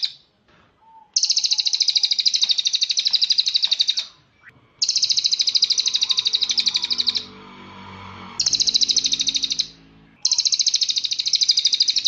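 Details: Cililin singing as a master recording for song training, with high, buzzing trilled bursts of about two to three seconds separated by short pauses. Soft low background hum fills the gaps.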